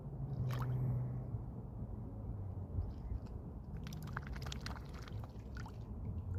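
A swan makes wet, irregular smacking and squishing clicks with its bill, several a second, over a low rumble of background noise and lapping water.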